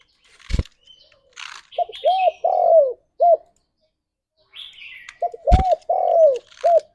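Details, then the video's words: Spotted dove giving a vigorous morning song used as a lure to bring kept birds into breeding condition: two phrases of low, arched, hollow coos, a short note, two longer notes and a trailing coo, with sharp clicks and faint chirps between. "Tekukur Gacor Suara - Pancingan Pagi Paling Ampuh Naik Birahi"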